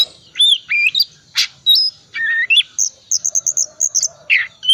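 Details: Oriental magpie-robin lure song full of fills: slurred whistles rising and falling, a rasping burst, then a rapid string of short high chips repeated about four times a second, ending with a buzzy note.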